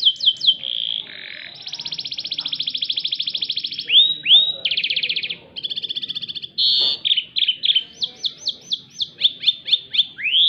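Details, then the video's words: Loud white canary song in a twisting style: rapid trills, buzzy rolled phrases and long steady tours, ending in a series of quick repeated downslurred whistled notes. "burung kenari putih suara melintir keras"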